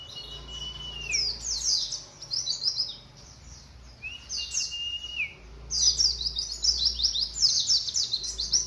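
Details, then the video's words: White-eye youngster about three months old trying out its song: clusters of high, scratchy twitters broken by two drawn-out, falling whistles, over a faint low hum. "Anakan burung pleci usia baru 3bln udh mulai bukpar"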